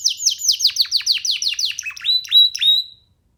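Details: Pet canary chick singing while sitting on a hand: a rapid string of descending bright notes followed by a few louder rising whistles, ending abruptly.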